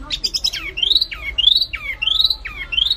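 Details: White-eye singing in a mastering track set against a kapas tembak: high twittering, then a series of rising whistled phrases, each ending in a quick drop, repeated about every half second.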